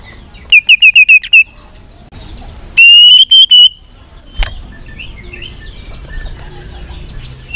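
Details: White-rumped shama song used to stimulate other shamas to sing: a quick run of five bright high notes, a pause, then sweeping whistled phrases, followed by faint distant chirps and whistles.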